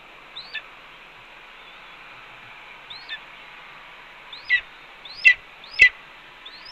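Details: Red-tailed hawk vocalizing on its Cornell nest at 1:29 PM while the mate eats a pigeon brought after two voles. Scattered rising whistles with harsh endings become louder and quicker toward the end.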